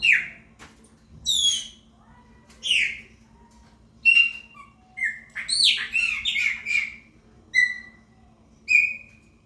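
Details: A 'preta fumaça' chopi blackbird sings to claim its area: separate loud whistles and sharp chips every second or so, some falling, some rising, with a busier, twisting cluster in the middle.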